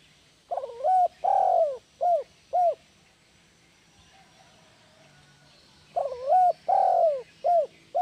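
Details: Two matching phrases from a spotted dove, played to coax silent doves into calling. Each phrase has a rough note, a long coo and two short coos, with a quiet pause of about three seconds between phrases.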